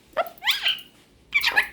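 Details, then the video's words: Indoor pet cockatiel in evening chatter with a superb parrot before bed: a short sharp chip followed by a rising, harmonic squawky warble, then after a pause another buzzy, wavering squawk, in a quiet room. "Cockatiel and Superb Parrot's Cute Conversation"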